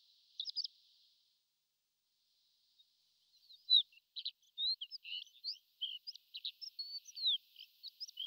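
Horned lark giving high, thin tinkling notes: a short burst, a pause, then a quick jumbled run of twittering chips and slurs. Faint background hiss.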